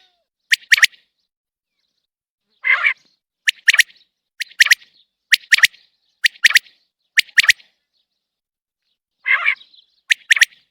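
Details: A common quail calling out of its cage delivers a long run of about nine sharp, whip-like triple-note phrases, steadily repeated, broken twice by a soft rasping, buzzy note.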